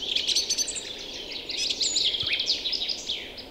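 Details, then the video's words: Birds that have just arrived sing together in an April forest and meadow in early spring, near a river swollen with meltwater. Many bright, rapid chirps and twittering phrases overlap densely throughout. "Songs birds in early spring."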